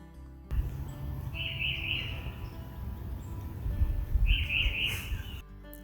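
Tufted Titmouse giving two whistled 'peter-peter' phrases about three seconds apart, clear and mid-high, over a steady low rumble.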